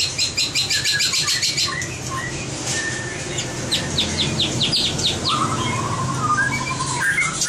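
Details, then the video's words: Competition-trained white-rumped shama singing a varied phrase: rapid high stuttering notes, a burst of quick sweeping chips, then a lower warbled whistle, with background hum. "luyện chòe lửa hót đấu"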